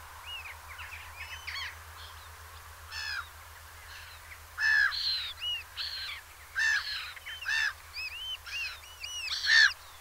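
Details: Eurasian oystercatchers at Peenemünde, several birds piping together in an excited chorus of loud, shrill, repeated calls that grow stronger after the first few seconds, with overlapping voices.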